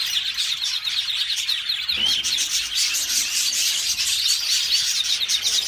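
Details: A yellow canary sings in a continuous, high, rapid stream of trills and twittering notes, with a faint hiss beneath.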